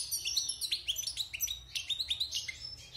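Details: Caged wild European goldfinch, six months in captivity and out of its moult, delivering a fast run of bright, upward-slurred twittering notes at an even, lively pace.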